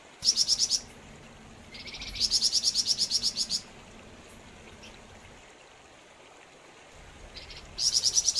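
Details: Flamboyan bird in vigorous song, giving short bursts of very high, rapid ticking trills, one introduced by a brief rising buzzy note, separated by quiet pauses of a few seconds, with a soft steady hiss behind.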